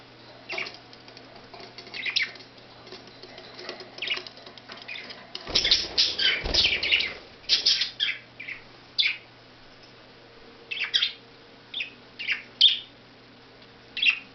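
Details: Pet budgerigars out playing and eating seed give bright, scratchy chirps and short warbles in quick, irregular bursts, with wing flutters.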